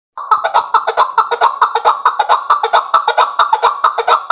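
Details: Chakor (chukar partridge) giving a rapid, rhythmic series of harsh clucking notes, about two per second. The notes repeat steadily and grow slightly louder, with a clear ringing overtone, against a quiet background.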